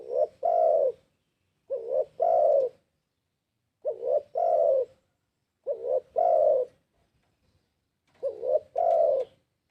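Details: Five steady coo phrases from a spotted dove played as a lure. Each opens with a quick rising double coo and ends with a longer, full-toned coo, against a quiet background.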